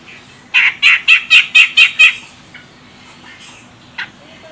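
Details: Female grey-cheeked bulbul from Medan, Sumatra, calling as a lure to prompt male song: seven harsh, nasal notes delivered evenly within about one and a half seconds, then near quiet with one faint note.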